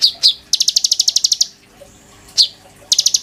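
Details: Caged konin singing actively, used as a teaching model for shamas in the sujud style. Two sharp downslurred chips lead into a fast, even high trill, then a pause, another chip and a short trill.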